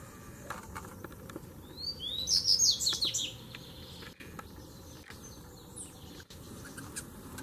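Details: Double-collared seedeaters, three males dueling together; a thin whistled upslur breaks into a dense, scratchy high warble lasting about a second, then faint distant chirps, with clicks and a steady low hum.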